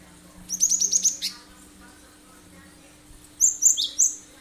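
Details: Cinereous tit in full, sharp 'tembakan' song, used as a lure for other birds: a rapid run of about six high, bright notes, a pause, then three sharp, descending whistled notes. A faint steady hum runs underneath.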